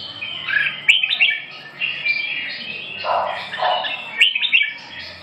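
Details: Red-whiskered bulbul singing lively chirps and rolling whistled phrases, with a few lower, softer notes midway and a final burst of quick chirps.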